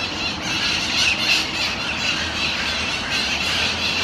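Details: Flock of Mitred Parakeets eating seeds in a Miami-Dade County park in Florida, December 2016, giving nonstop overlapping shrill squeals and squawks, with a constant background roar of traffic.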